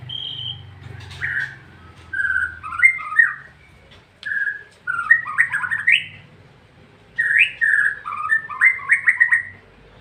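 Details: Ngeplong song of a white-rumped shama, with clear whistled phrases in separate bursts, each a mix of pure fluty notes and quick slurred trills, over a faint low background rumble.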